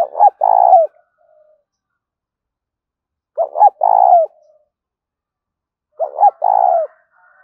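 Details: Spotted dove coo used to draw in wild doves: three matching phrases roughly every three seconds, each two clipped hollow notes followed by a long purring note that drops off, with silence between.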